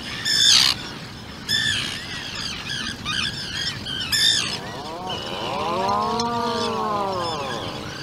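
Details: Harsh harmonic squawks in three bursts, loud at first, come from a Seal Island burrow holding an Atlantic puffin chick two days old with both adults. A long, arched, wavering lower tone follows and fills the second half.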